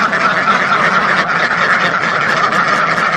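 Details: Short burst of a huge duck flock numbering in the thousands, overlapping quacks forming a thick, constant wall of sound.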